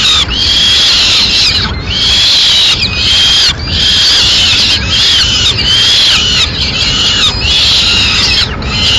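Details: Madrid peregrine falcons: the male delivers a swift and feeds the chicks, who later eat on their own. Loud grating screeches come in bursts about a second long, separated by short silences.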